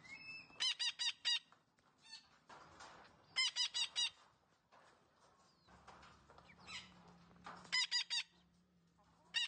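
A green parrot gives harsh, nasal honking notes in quick runs of four or five, repeated three times with quieter chatter and faint background hum between.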